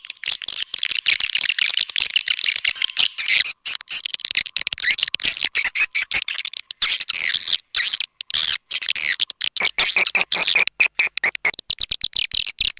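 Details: Calls of swiftlets used to attract birds, slow but steady response: continuous rapid twittering and chirring high pitched, chopped by many sharp clicks and dropouts throughout.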